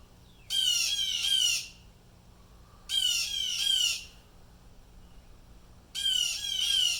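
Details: Close, loud distress calls of blue jays disturbed by something: three bursts, each of two or three rapid harsh screeching calls, about every two and a half seconds.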